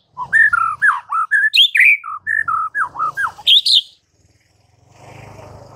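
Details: White-rumped shama singing in the morning, a song meant to provoke rival shamas into answering. Loud, varied whistled phrases, sliding and looping notes in quick bursts for about four seconds, then a soft low rumble.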